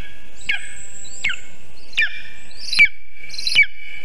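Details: Lesser spotted eagle at its nest, built about 20 m up a birch in Zemgale, Latvia, picked up by a live nest camera at 9:24 am on 19 August 2023 as a vole is delivered. Five sharp, short yelps come roughly every 0.75 seconds over a steady whine.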